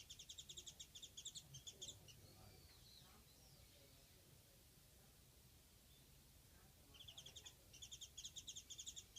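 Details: Japanese white-eye, a single bird visiting behind a house: rapid bursts of thin, high chipping notes repeated in quick runs at start and end, with a quieter gap of soft high twitters between; faint background hum.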